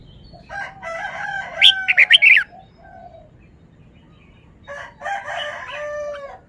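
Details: Red-whiskered bulbul cage bird showing off song phrases: a warbled harmonic phrase with a cluster of sharp, high notes, a pause, then a second rich, slightly descending warble.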